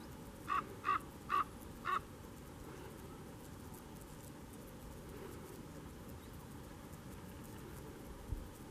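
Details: Canary Islands raven, Fagagesto, Gran Canaria, June 2017: a quick run of four short clipped calls within two seconds, then only quiet background hiss.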